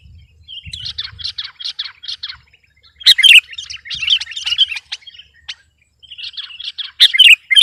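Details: Sooty-headed bulbul pouring out song meant to intimidate opponents: a string of rapid repeated chirps, then a louder tumbling chatter of varied notes, a short pause, and another excited burst at the end.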